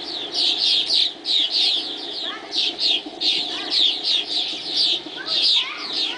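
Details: Swallows in flight at dawn give bursts of excited high twittering, several birds calling together in clusters about every half second, with brief quieter gaps between bursts.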